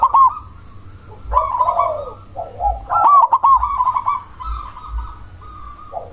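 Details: Cemani zebra dove calling loudly as a lure to stir other doves to reply and heighten breeding drive; several rolling cooed phrases with a burst of sharp clicks midway, low rhythmic thumps and a steady high whine beneath.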